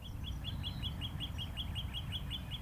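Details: Northern Cardinal gives a rapid series of about a dozen short, bright chip-like whistles, steady and evenly paced, over strong low wind or handling rumble, heard during a morning birding walk alongside Carolina wrens, Eastern bluebird and Eastern towhee.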